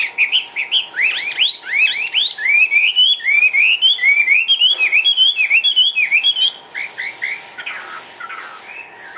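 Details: Caged hwamei from Vietnam in full song: upward-sweeping whistled notes giving way to a fast rolling series of looped, wavering whistles, fading into softer scattered phrases near the end over a faint electrical hum.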